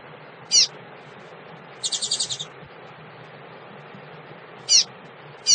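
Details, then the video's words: Calling female double-collared seedeater, meant to stimulate males: a single sharp high chip, a short buzzy rattle of six fast notes, then two more spaced downslurred chips. Quiet background hum. "fêmea de coleiro chamado pra esquentar"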